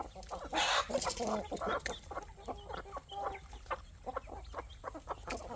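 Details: Growing hens, roosters and chicks feeding in the evening on a farm, a loud burst of excited clucking followed by quieter, rapid, irregular clucks and pecking sounds.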